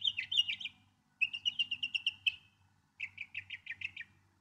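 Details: Song of a Northern mockingbird in three bursts, each a quick run of the same note repeated five or six times, with short pauses between runs.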